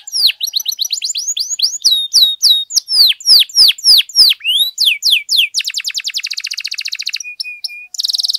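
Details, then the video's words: Canary song used as a lure to rouse other canaries: quick looping sweeps, a run of loud downslurs, then a dense buzzy rattle, flat steady whistles and a final high trill. "PANCINGAN KENARI GACOR DOR, PUTAR SEBENTAR AMPUH NAIKKAN EMOSI KENARI LANGSUNG GACOR"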